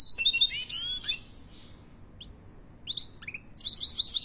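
A European goldfinch sings bright, tinkling twitters and buzzy trills, with quick high notes and a liquid rattle, in a quiet room.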